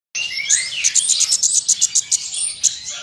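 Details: Oriental magpie-robin singing prolifically and firing off learned fill-in phrases that agitate other magpie-robins; bright, sharp high notes repeated rapidly in a clipped series over a dense, rattling twittery background.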